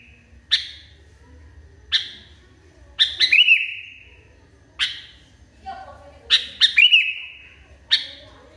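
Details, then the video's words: Highly agitated sooty-headed bulbul mixing single sharp chips with two fuller phrases of rapid notes and a held whistle; a brief faint murmur occurs between phrases, against quiet low hum. "KUTILANG NGAMUK PARAH"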